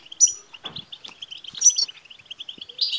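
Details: European goldfinch song for prompting a male goldfinch to sing: a steady string of short twittering chips, broken by a few high thin whistles and a rough low rustle early on.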